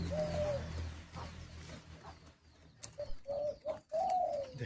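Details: Agitated caged hunting (decoy) spotted dove: soft, hollow coos, with one drawn-out coo, a pause, then a hurried run of four ending in a longer note, and low rumbling noise at the start.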